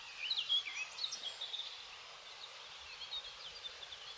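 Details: A blackcap, a spring migrant that has just started singing again, sings in late April at Yarner Wood on Dartmoor: a quick, bright run of fluty, high notes fading into softer chatter, over steady wind hiss.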